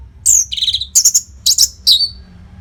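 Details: Brief run of orange-headed thrush song used to train contest birds: a sweeping high whistle, a buzzy trilled note, then three sharp clustered chirps ending in a falling whistle.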